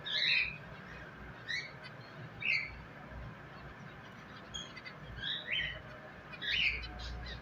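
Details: Pet finches giving short bright chirps in scattered bursts, roughly one every second or so, some rising and some falling, over a steady low background hum.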